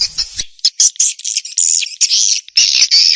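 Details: Swiftlets chatter in rapid, buzzy, high-pitched chirps and twitters, in bursts of a fraction of a second with short gaps, with no other sounds; the recording is a call-and-roost sound used to attract swiftlets to nesting houses.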